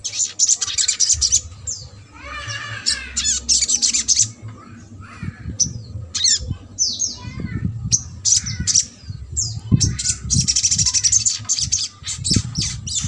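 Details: Trotol-style little spiderhunter singing, used to coax a quiet bird into voice: long run of high, sharp chattering notes broken by harsher descending squawky phrases, with a steady low hum behind.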